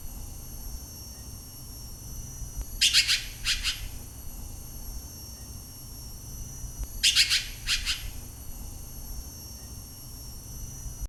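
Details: Red-billed Blue Magpie, a varied caller and skilled mimic, recorded in Nam Nao National Park, Thailand: two bursts of grating, rasping notes about four seconds apart, each a tight cluster of three or four strokes, over quiet background hiss.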